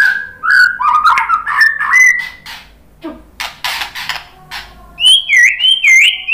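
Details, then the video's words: White-rumped shama singing a lure song that draws replies from other birds. Slurred whistles at the start, a quieter stretch of scattered notes, then bright rising and falling whistled phrases. "suara KICAUAN MURAI BATU bikin NYAUT ikut BUNYI jadi GACOR NGEPLONG ¦ PANCINGAN MURAI"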